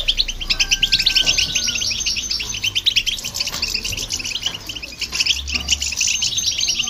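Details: European goldfinch, heard with a hybrid and played to stir up other birds: a dense, rapid twittering of bright, tinkling and buzzy notes runs throughout, with a thin steady whistle early on and a low background rumble.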